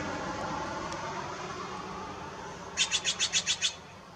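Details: Steller's jay at Cranberry Lake on 4/22/18: after nearly three seconds of low rumbling background noise comes a rapid burst of seven harsh, rasping notes, evenly spaced and delivered in under a second.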